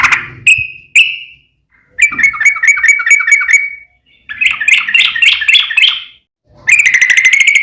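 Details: Yellow-vented bulbul in 'ropel panjang' song, a lure meant to make other trucuk birds answer: a few clipped whistles, then long bursts of fast, bubbly, rolling warbles with short gaps between them.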